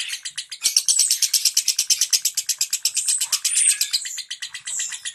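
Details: Caged lovebird song played to prompt silent lovebirds to sing: a rapid, dense ticking chatter of high notes, about three per second, continuous and buzzy throughout.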